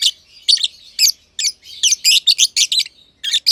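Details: Green personata and green pied personata lovebirds sharing an aviary give dense, rasping high chirps in quick succession, nearly continuous chatter with only short gaps.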